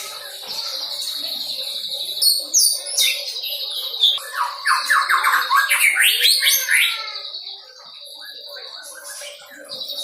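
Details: White-rumped shama, a young bird past the spotted stage and learning song material, sings a long medley: a sustained high whistle, rapid buzzy trills, and quick descending chirp series, fading toward the end.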